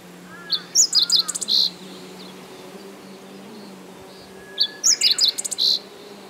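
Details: Meadow bunting singing in 2020, perched in an upright singing posture; two short bright phrases of quick high chirps and trills about four seconds apart, with a steady low hum in the background.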